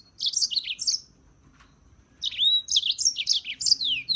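A European serin sings a high, rapid, jangling twitter of buzzy notes in two bursts separated by a brief pause.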